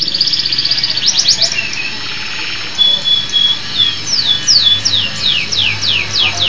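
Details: Canary of a local type singing vigorously: a high rapid trill, a pure level whistled tone, then a series of bright downward-sliding notes repeated roughly every half second.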